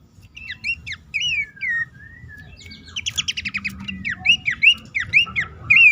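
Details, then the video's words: Horsfield's babbler call used to coax stressed or silent caged birds into song, recommended at dawn or night: whistled slurred notes, then a dense buzzy chatter, followed by a run of rising whistles. "pelanduk semak ngecall pancingan ampuh burung bahan,macet,stress,susah bunyi agar cepat ngeplong."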